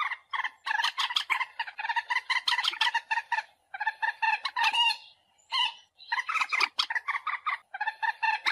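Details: Common moorhen call played to lure birds for hunting: rapid runs of harsh, nasal, harmonic clucks in dense bursts, with brief pauses between bursts.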